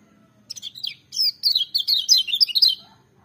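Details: Lemon-bellied white-eye singing a fast, high-pitched twittering phrase. It opens with a few separate chirps, then runs into a continuous stream of quick sliding notes for about two seconds. A soft low hum sits underneath.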